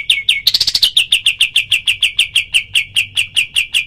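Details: Black-winged flycatcher-shrike in its 'tembakan' rapid-fire style, recorded for training other birds. A brief jumbled burst leads into a steady string of bright, clipped notes, roughly five per second, clear against a quiet background.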